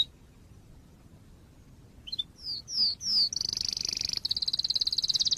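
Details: Canary song used as a master recording for tutoring young canaries: after two seconds of quiet, a few slurred descending whistles lead into a rapid, high buzzy trill of repeated notes that shifts pitch partway through.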